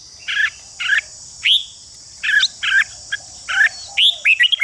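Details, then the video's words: Harsh chatter from a red-whiskered bulbul, used to stimulate fighting song in other bulbuls: evenly spaced buzzy bursts and a sharp falling whistle, ending in quick rising chirps, over a constant high hiss. "Chào mào ché kích thích chào mào đấu giàn căng lửa/đấu giàn lên lửa tốc độ/kích chim hót đấu"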